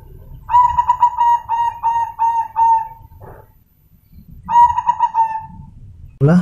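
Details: Zebra dove (perkutut), a crossbreed offspring of a colour-morph (silver or white) perkutut but with normal plumage: run of about six quick, mellow coos, then a shorter phrase after a pause; man's voice and murmur follow.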